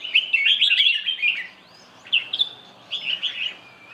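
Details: Red-whiskered bulbul singing: bright, chattering, warbled phrases in a rush for about a second and a half, then two shorter bursts of twittering notes after a pause, with quiet background.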